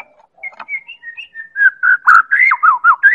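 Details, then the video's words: Medan white-rumped shama song meant to provoke other birds into singing: soft, scattered whistled notes build into a loud, fast run of rich, warbled whistles and short slurred phrases. "Real Pancingan Murai Batu Medan Super"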